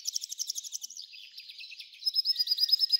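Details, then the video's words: Singing F1 hybrid goldfinch: quick run of high metallic chirps, then a softer buzzy stretch, then a sustained bright trill of rapid repeated notes; no other sounds. "Belo canto do F1"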